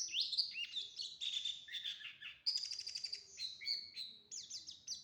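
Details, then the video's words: White-eye of the prenci type singing in the ngriwik ngebren style: a dense, high, rapid twittering of sharp chirps and short trills with barely a pause throughout. "prenci ngriwik ngebren"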